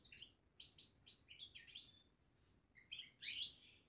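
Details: European goldfinch kept in a cage, babbling in quick, sweet twitters, then a pause, then a louder burst of bright chattering notes.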